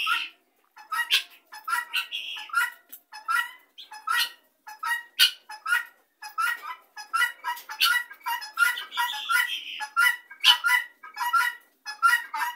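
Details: Helmeted guineafowl flock gathered together, giving rapid harsh rattling calls in dense overlapping bursts, many birds calling at once with repeated broadband chatter throughout.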